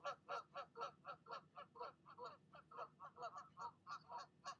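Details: Nesting mother goose keeps berating an intruding goose after it leaves: a fast, even series of clipped, nasal honks, about four per second, somewhat distant, with faint background hiss.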